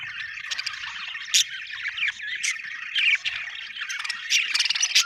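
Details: Budgie, an Australian bird, chirping in a rapid scratchy warble with occasional bright squeaks, irregular and unbroken throughout.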